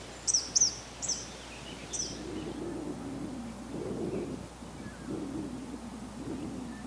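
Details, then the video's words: Eastern kingbird in Canada giving four sharp, high, buzzy notes in quick succession, then falling silent while a low rumbling background noise continues. "Eastern Kingbird"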